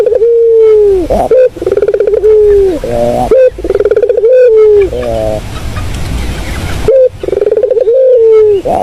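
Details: Melodious puter dove coo used for luring. Repeated phrases of a stuttered start and long falling note with husky lower endings, then a quiet gap of about two seconds before cooing resumes.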